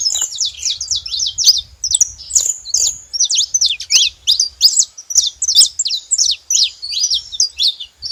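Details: Continuous chatter of sharp, high chirps and short downslurred whistles from a saffron finch, delivered in quick clustered phrases with light low thumping underneath.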